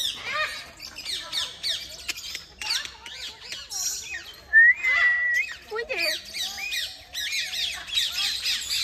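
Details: Parakeets in a forest park, calling loudly and flying rather than staying low. Harsh, squawking calls come in quick bursts throughout, with one longer drawn-out shriek midway, while children talk excitedly nearby.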